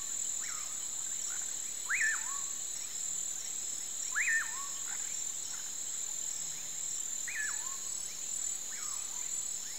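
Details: At sunset in the countryside, a Common pauraque repeats its burry whistle, a short note then a sharp rising-falling slur, every two to three seconds, over a steady high insect drone.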